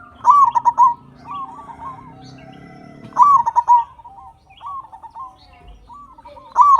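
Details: Local zebra dove singing loudly, played to coax quiet captive doves into song: three bursts of rapid, pulsed coos roughly three seconds apart, linked by gentler trilling coos, with a faint low hum early on.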